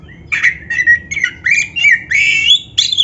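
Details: Black-breasted Oriental magpie-robin on a playback track for caged birds: rich run of loud whistled and slightly buzzy notes, wavering up and down, ending in a long rising note and a harsh final call.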